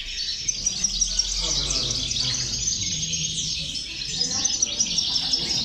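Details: Goldfinch chorus recorded to motivate other goldfinches: overlapping high, rapid twitters and short buzzy trills from many European goldfinches, continuous and bright.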